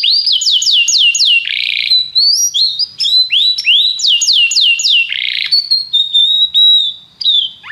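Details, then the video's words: Canary song recorded for training other canaries to sing: a series of loud sweeping whistled notes repeated in quick runs, broken by harsh buzzy bursts, then steadier high whistles and a final rising sweep. "treinamento canário - seu canário cantará muito se ouvir isso"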